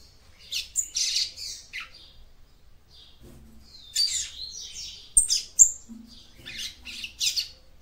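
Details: Song of a female capped seedeater aimed at exciting her male, clusters of high buzzy chirps and sharp clicks separated by quiet gaps, faint low hum.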